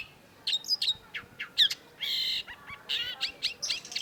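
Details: Long-tailed shrike song played as a lure: varied sharp notes, then a harsh buzzy rasp lasting about half a second, followed by quick chirps and sweeping whistles.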